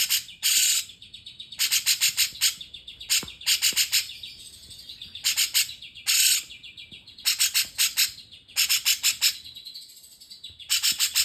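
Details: Cucak jenggot (Grey-cheeked Bulbul), song in cungkok style: harsh, buzzy, broadband chattering bursts of about half a second, repeated in irregular clusters with short gaps between them.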